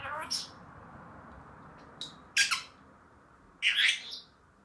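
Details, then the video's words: Senegal parrot in a happy mood, letting out short harsh squawks at irregular intervals, two louder rasping bursts toward the end, over a steady low background hiss. "senegal parrot happy"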